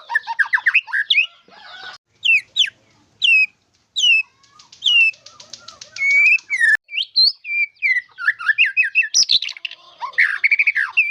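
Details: Murai batu (White-rumped shama) song with isian phrases: bursts of rapid chirps, separate downward-slurred whistles with pauses between, then dense twittering, with sharp clicks and knocks throughout.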